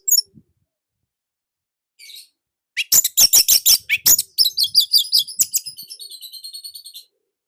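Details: Orange-headed thrush, Indonesia, singing nonstop in a tight, loud style. A short faint chip, then rapid clicking bursts that turn into fast, buzzy high trills and fade away.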